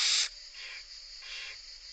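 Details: Barn owl chicks being fed by their mother in Italy, recorded for a national conservation monitoring project: one loud harsh hiss at the start, then two softer, breathy rasping hisses fading in and out against steady background noise.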